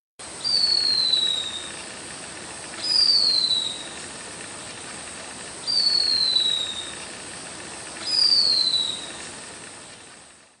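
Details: A short-tailed hawk (Buteo brachyurus) from Brazil gives four high, thin, drawn-out screams, each falling in pitch, spaced about two and a half seconds apart over a steady background hiss.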